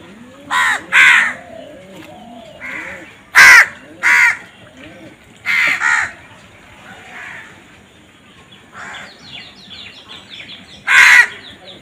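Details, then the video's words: Crows cawing repeatedly in harsh, raspy bursts, often in quick pairs, spread unevenly over about twelve seconds, with softer calls and faint chatter between them. "Crow Bird Crowing Sound"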